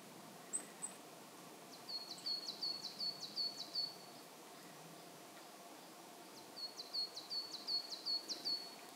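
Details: Pallas's rosefinch at a feeding spot in Saitama Prefectural Forest, Saitama, Japan, in March, filmed on a GH5: two bursts of thin, high, short notes repeated rapidly about six times each, over a quiet hiss.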